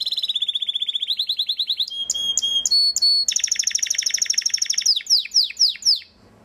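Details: Belgian canary singing: rapid even trills of repeated notes, a steady buzzy tone, then bright ringing trill and a run of sharp descending sweeps, loud and continuous throughout.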